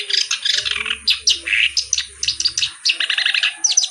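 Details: Reed warbler (kerak basi) song: short bursts of rasping, chattering notes, then a quick series of clipped, repeated chips, with a faint low drone and a steady high hum behind.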